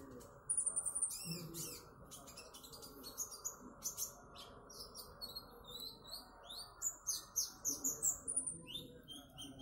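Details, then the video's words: Konin bird in loud trotol song: dense, rapid high chirps and trilled downslurs, roughly three to four notes a second, with sharp clicking bursts and little low-pitched noise behind. "Burung konin trotol"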